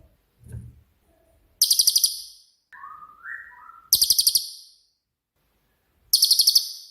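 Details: Cililin songbird, a bird with a 'tembakan' shot-like style used as a master for training songbirds; three loud, very high rattling bursts of about seven rapid notes, with soft descending whistled notes between them.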